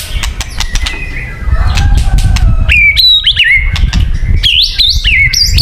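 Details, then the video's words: White-rumped shama song for luring: clicks and faint notes at first, then loud jumping whistled phrases leaping between high and lower pitches, with a low rumbling background. "Suara Burung Murai Batu yang paling baik untuk pikat"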